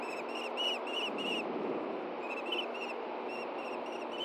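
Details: Osprey pair at a Hellgate Canyon nest in Montana on a June 2014 morning, the male delivering a fish. Loud ringing whistled chirps repeat quickly at first, fade, then resume in softer spaced notes over steady hiss.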